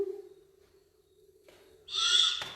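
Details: A baby Great Horned Owl begging for food from its parents gives a single harsh, hissing screech of about half a second, over a steady low hum.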